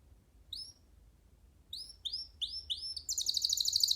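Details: Young canary perched free on a person's hand singing: a few sparse upward whistled notes, then a run of rising sweeps building into a fast, dense high trill at the end.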